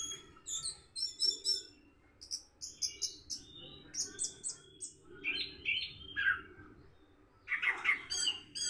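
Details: Orange-headed thrush learning a 'rock and roll' song in the morning: rapid high twitters and chips in bursts, then richer, lower whistled notes toward the end, over a faint hum.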